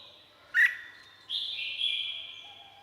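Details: Red-whiskered bulbul from Thailand giving a quiet, brief dipping note, then a longer sustained whistled phrase with a drawn-out echoing tail. Faint background hiss.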